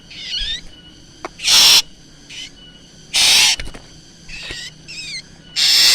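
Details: Black drongo calling for use as a lure: loud grating screeches alternate with short, twisting whistled notes.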